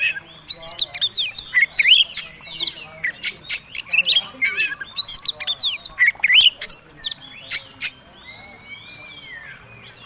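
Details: Oriental magpie-robin fighting song used to provoke rivals: rapid, choppy phrases of sharp chirps, squawky notes and whistled slurs over about eight seconds, then a softer drawn-out whistle near the end.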